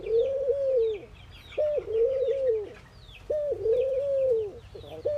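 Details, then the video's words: Ring-necked doves in India cooing during morning activity: repeated pairs of a brief abrupt note and a long, smooth, gently arched coo, about every 1.7 seconds, while sparrow-like chirps twitter faintly behind. "Ringneckdoves calling sound !! Indian Birds Dove morning activity Doves cooing"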